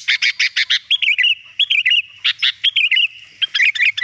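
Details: Sooty-headed bulbul singing to attract wild birds, a lively run of staccato chirps followed by fluid, slurred warbled phrases and then more clipped notes, steady and loud throughout.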